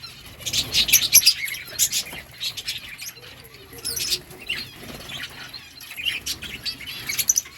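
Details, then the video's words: Colony of breeding lovebirds giving repeated bursts of shrill, twittering chirps, several birds calling at once in waves a second or two apart. "lovebirds colony lovebirds chirping sounds"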